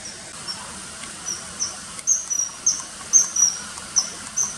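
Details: Common kingfisher giving shrill, thin, very high whistled 'tsee' notes, short and sharp, in irregular series with some doubled notes quickening toward the end, over a steady soft hiss.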